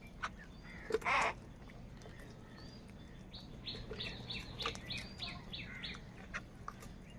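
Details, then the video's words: A large gathering of crows squabbling over food: one loud, rasping caw early on, then a quick run of lighter repeated chirping notes from the flock over a steady low hum. "Kaka sound and noises of Crow birds | Huge numbers of Crows Crowing and Crying sounds"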